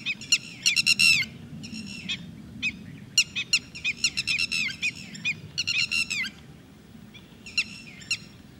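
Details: Red-wattled lapwing (Titodi) at Thol bird sanctuary giving loud, sharp, high notes in rapid bursts of three to five, the groups separated by short pauses and repeated across the recording, over a low steady background rumble.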